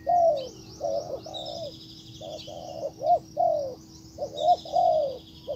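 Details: Wild bird being called by a decoy spotted dove: low, burry coos in loose groups separated by a short gap, with faint high-pitched chirping of other birds.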